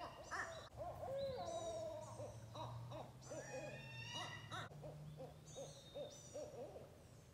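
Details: Barred owls, responding to owl calls played on a Bluetooth speaker, answer with excited, overlapping hoots and wavering cackles, a jumble of rising and falling calls in quick succession, with a low steady hum underneath.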